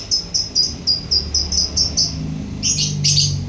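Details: Lovebird singing diligently, ngekek style: a quick series of short, high, clipped chips, then two broader, harsher squawking bursts near the end, with low hum beneath.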